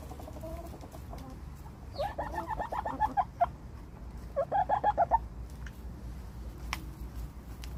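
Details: Chickens clucking inside a barn. Two bursts of rapid, throaty pulsed notes, each lasting about a second, are separated by a short pause. Faint high chirping and a low, constant rumble run underneath.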